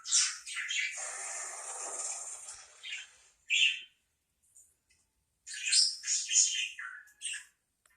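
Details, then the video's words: Parakeet chatter: scratchy, high chirps and squawks in bursts, a long raspy warble at the start, then quick sharp notes after a short pause. "parakeet sounds"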